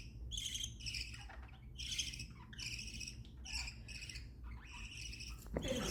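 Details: Happy chattering of caged pet budgerigars, several birds giving overlapping high squawky chirps and warbles in steady bursts over a constant low background hum.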